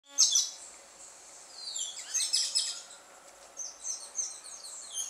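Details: Carib grackles singing at dusk in Martinique, high squeaky chirping notes in bursts, with a denser run of sharp repeated chips in the middle and softer twittering toward the end.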